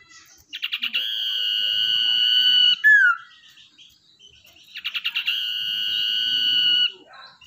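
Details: A wild-caught, tamed common iora sings actively as a lure bird, giving two long, steady high whistles, each opened by a quick stuttering run of notes; a short down-slurred note follows the first.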